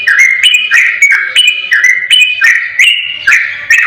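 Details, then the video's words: Yellow-vented bulbul song used to provoke a quiet bulbul into replying: clear whistled phrases of stepped notes rising and falling, repeated in quick succession about three times a second, loud and without pauses. "Suara Masteran Burung Trucukan Ropel Durasi Panjang Jernih Tanpa Jeda"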